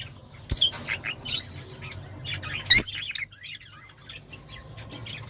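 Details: Lovebirds calling, kept in a home setting: scattered sharp high chirps and short twittering notes, two loud clicks or knocks, with a low steady hum underneath.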